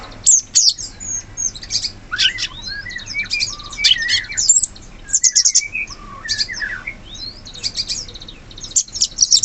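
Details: Wild sooty-headed bulbul in forest, giving short slurred whistled notes around the middle range amid a busy chorus of thin, high chirps from other birds.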